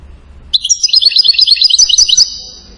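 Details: European goldfinch singing, a recording prized in Morocco as the king of goldfinches, from Settat: a rapid run of bright twittering and tinkling notes, high and densely repeated, starting half a second in and fading after two seconds.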